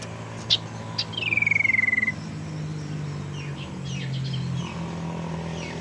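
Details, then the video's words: Tailorbird lure sound used to entice birds or get idle ones singing: two sharp ticks, then a rapid trembling trill that slides gently downward, followed by faint distant notes against low hum. "suara pancingan sirtu teras"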